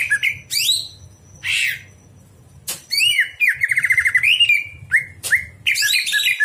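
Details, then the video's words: Nighttime greater green leafbird song for teaching other birds: varied whistled notes and harsh bursts, then a rapid rippling trill followed by sweeping chirps; faint low hum throughout. "masteran cucak hijau di malam hari"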